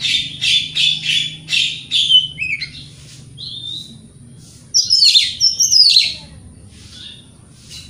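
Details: Oriental magpie-robin singing vigorously in the morning to provoke rival birds: a rapid series of repeated clipped whistles, then slurred notes and a burst of harsh, buzzy chatter, then a quiet gap; a steady faint high whine throughout.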